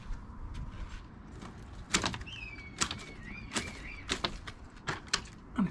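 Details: Red kite flying over a home garden gives a thin, wavering, high whistle lasting about two seconds, partly drowned by loud knocks and clatter from nearby border landscaping work.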